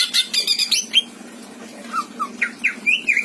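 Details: Pet greater green leafbird from Indramayu with a rich fill-in repertoire: harsh scratchy chatter and a sharp whistle, a short lull, then several low and rising slurred whistled notes.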